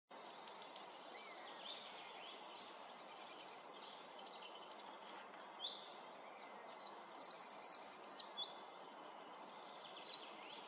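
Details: Coal tit in the Netherlands calling in very high, thin, quick notes in short bursts every second or two, over a soft steady background hiss.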